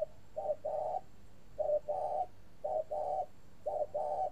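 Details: Long cooing bout from a caged spotted dove in Ba Vì, Hanoi, northern Vietnam: low, mellow coo pairs, each a brief note followed by a longer held one, repeated roughly every second.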